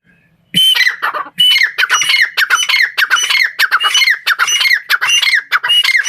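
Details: A grey francolin, locally called tetar, gives loud, harsh, ringing call notes in a rapid, slightly uneven series of bursts, about one and a half per second, against a quiet background.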